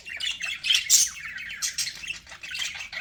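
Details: Budgerigars chirping and squawking in quick, overlapping bursts, with bright harsh notes and warbles packed closely together.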